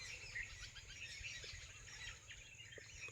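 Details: In the evening on a farm, many small birds gather to roost in dense trees along the field bunds, chirping together in a dense high-pitched twittering chorus of short repeated notes, over steady background hiss and low rumble.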